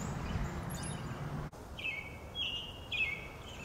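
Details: Brown-headed nuthatch pair gathering food for chicks in Lafayette County, Mississippi, April 9, 2020, on a sunny, cool day with a slight breeze; a few thin, squeaky, slightly buzzy notes follow an initial rustle, with soft wind noise.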